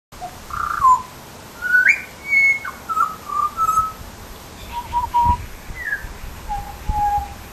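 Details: Butcherbird calling with a series of clear, fluted whistled notes, some steady and some sliding upward, spaced irregularly over several seconds against faint low background rumble.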